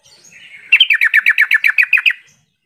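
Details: Yellow-vented bulbul call meant to spur reluctant birds into calling back: a soft warbling lead-in, then about twelve quick, evenly spaced chattering notes.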